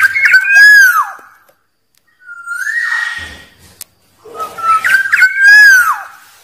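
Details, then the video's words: Wild Black-naped oriole (kepodang) gives two loud, fluty whistled phrases slurring downward, separated by a harsh, nasal rasping note, a call used to lure rivals. "Suara Burung Kepodang liar"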